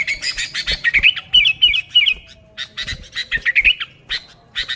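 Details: Active sooty-headed bulbul, used for luring bulbuls, mixing bursts of harsh squawks with bubbly warbled whistles, in uneven rapid bursts.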